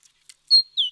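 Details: A great tit on 29 October 2017 gives a single clear two-note whistle, a high steady note then a slightly lower, falling one, after a few faint clicks.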